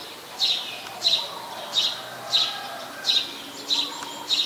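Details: Short, high, bright chirps from a Eurasian tree sparrow at Ubon Ratchathani, Thailand, 22 November 2019, a very common resident bird. Seven notes come about every two-thirds of a second over a low, steady background hum.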